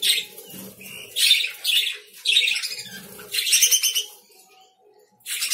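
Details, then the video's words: Lovebirds giving shrill, high chirps and squawks in bursts, with loud clusters near the start, middle and end separated by short quiet gaps. "Love birds sounds"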